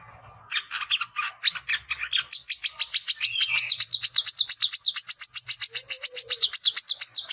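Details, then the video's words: A male brown-throated sunbird singing to challenge rivals: scratchy mixed notes build into a fast, steady run of thin high notes, with a faint low warble near the end. "SUARA BURUNG WICEH JANTAN _KOLIBRI KELAPA GACOR"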